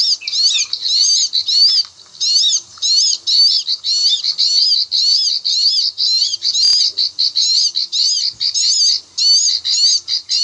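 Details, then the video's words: High, clicking chatter of a Bar-winged prinia in the klik-klik rice-field style, played as a trapping lure: quick sharp notes tumble in short bursts, repeated about twice a second in a steady stream, with a brief low knock midway. "SUARA AMPUH PIKAT CIBLEK KLIK-KLIK/SAWAH"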